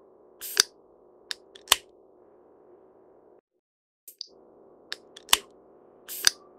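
Great spotted woodpecker gives sharp, clicking 'kik' notes, single or in quick pairs at irregular intervals, over a steady low hum of background noise.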